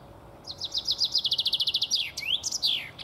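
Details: Male common chaffinch song, about 3 seconds: a quick, bright run of repeated whistled notes that speeds up and drops in pitch, then ends in a sweeping flourish. Little else is heard.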